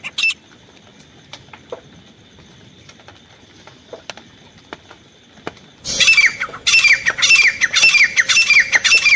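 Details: Grey francolin hunting-lure call: a long quiet stretch with faint ticks, then a loud repeated run of harsh, squawking calls with falling whistled ends, nearly two per second.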